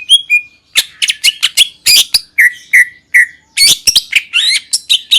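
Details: Greater green leafbird (cucak ijo) in the wild singing a lively, varied run of sharp chirps, squeaky notes and short clear whistles, delivered in quick bursts with brief gaps and a few repeated lower whistled notes midway. No other sounds.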